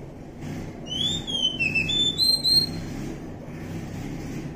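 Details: Wild Oriental magpie-robin, kacer hutan, delivering a short run of clear whistled notes, slurring down then up, above constant low background hum.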